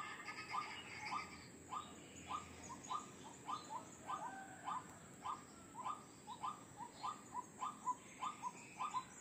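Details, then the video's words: White-breasted waterhen call used as a lure for wild birds: short, hoarse notes repeated quickly, nearly two per second, in an uneven rhythm, over a steady high-pitched hiss. "Suara Pikat Ruak Ruak Ampuh"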